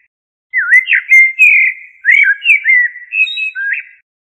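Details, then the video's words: Blackbird giving one continuous phrase of mellow, swooping flute-like notes rising and falling for about three and a half seconds, faint high ticks above. "تغريد طائر الشحرور جحمومية الزرياب Turdus merula"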